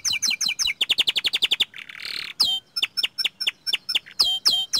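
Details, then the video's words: Young canary singing eagerly: two- and three-part sweeping notes, then a fast regular trill, a short hissing roll, and spaced ringing whistled notes repeated about three times a second. "Kicauan Burung Kenari Muda Gacor Standart Kecil"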